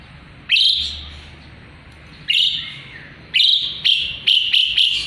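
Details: Jalak suren, the Asian pied starling kept to train murai batu song, utters harsh drawn-out screeches, then a quickening series of clipped, scratchy notes near the end.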